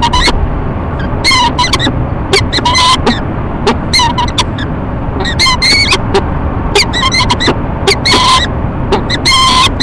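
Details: Two peregrine falcons performing courtship at a nest box on a tall Rochester, New York building, March 2011 morning; repeated harsh ee-chup calls in uneven bursts with thin whining notes, over steady low background noise.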